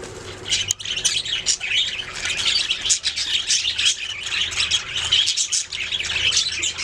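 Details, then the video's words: Budgies singing together, a continuous dense warble of scratchy, high chirps and squeaky notes that overlap without pause, with a faint low hum underneath. "Budgies singing making sounds chirping"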